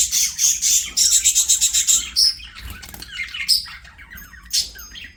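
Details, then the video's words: Playing budgies give a quick series of rasping pulsed notes, then softer chirps and twittering, with a short thin whistle near the end. "BUDGIES SINGING PLAYING"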